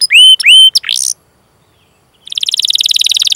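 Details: Canary training song: two clear whistled notes and a brief burst, a pause of about a second, then a fast buzzy trill that grows louder.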